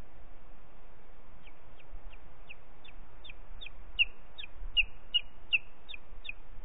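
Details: Booted eagle, Ports Natural Park, 4 July 2021 early afternoon: a run of about fourteen short, high, piping notes at an even pace of roughly three every second, growing louder midway, above constant low background rumble.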